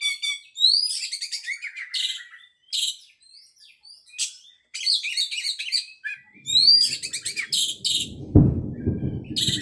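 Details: Oriental magpie-robin singing in bouts of rising whistles and scratchy chatter separated by short pauses; a low rumbling thud and background noise intrude near the end.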